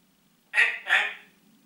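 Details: Captive Congo grey parrot talking, giving a two-syllable spoken-sounding greeting, rough and voice-like, with the second syllable fading out. Quiet room hum underneath.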